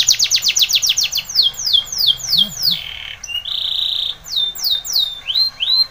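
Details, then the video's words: Spanish Timbrado canary singing for training: a fast run of sharp downslurred notes, a brief low rattle, a loud steady buzzing roll, then a few scattered arched whistles. "Timbrado canary's most powerful song for training - CANARY TRAINING SONG"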